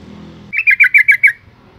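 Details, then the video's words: Calling female yellow-vented bulbul, used to provoke males to sing; one short run of six rapid, liquid chirps lasting under a second after a brief low rumble. "suara panggilan burung trucuk betina"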